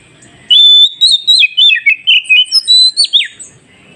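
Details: Oriental magpie-robin singing, meant to prompt newly captured forest birds to reply: after half a second of quiet, a long clear whistle opens a quick string of about a dozen lively warbled and chirped notes, ending abruptly.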